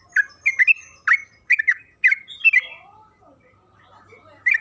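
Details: Trucukan kebo, a yellow-vented bulbul, in long energetic song played to prompt others to sing: loud gurgling double and triple notes in a quick run, then a softer descending warble before the phrase restarts.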